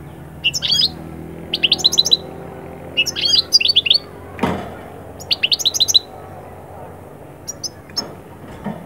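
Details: European goldfinch song meant to lift birds out of moult into summer breeding excitement: several short bursts of high, tinkling twitters separated by pauses, with a brief loud thump near the middle and quiet gaps toward the end.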